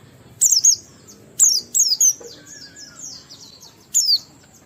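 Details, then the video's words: Oriental white-eye singing 'ngalas' with 'riwikan' fill-ins to encourage other white-eyes to sing: sparse, very high wavering chirp phrases, a few spaced bursts with a quiet warbling trail between them. "Burung Pleci Gacor NGALAS Isian sambung Riwikan Materi Ampuh Merangsang Semua Pleci langsung Gacor"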